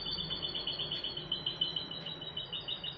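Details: A goldfinch hybrid, bathing, keeps up a rapid, high-pitched twittering song, a steady stream of quick chirps over a faint low hum.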